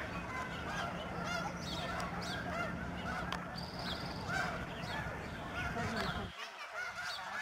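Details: Huge flock of snow geese flying over George C. Reifel Migratory Bird Sanctuary, Delta, British Columbia, Canada, on 24 March 2011: dense overlapping nasal honks from many birds, a steady low hum beneath, fading out near the end.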